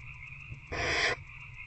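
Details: Barn owl nest box at night, 19 February 2024, adult feeding an older owlet; one breathy, rasping hiss lasting under half a second against a low continuous hum.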